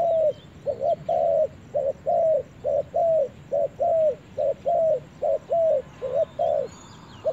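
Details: Spotted dove on its first forest visit, delivering a long run of paired mellow coos, a clipped note leading into a longer curved one, steady and fast, with a few faint high chirps from other birds.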